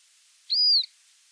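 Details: A Montagu's harrier (Circus pygargus) calls: one thin, high whistled note that rises slightly and falls away, lasting about a third of a second, against a quiet background.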